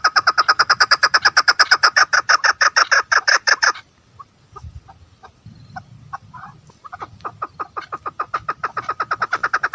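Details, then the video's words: Rapid harsh clucking series from a female chukar partridge, fading to scattered quiet notes mid-way, then building again into a steady fast run. "female partridge voice|mada chakor ki awaz|keklik sesli"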